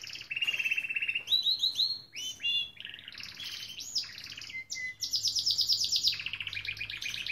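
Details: A Gloster canary sings a long, unbroken song of rapid trills, rolls and bright chirps, with phrases shifting every second or so between high and mid pitches.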